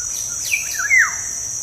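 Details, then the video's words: Black-naped oriole, a lure recording played to make kept orioles sing more: two fluty whistled phrases, the second sliding down from a bright high note, over a steady high-pitched cricket drone. "PANCINGAN SUARA BURUNG KEPODANG"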